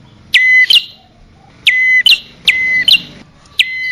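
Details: Bar-winged prinia lure call for attracting both sexes: four loud phrases, each a sharp falling note settling into a held high whistle and ending in a short rising chirp, separated by gaps of about a second.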